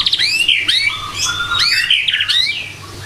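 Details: Morning song from a white-rumped shama: clear high whistles sliding up and down, interspersed with quick stuttering trills, all delivered in a lively, varied sequence.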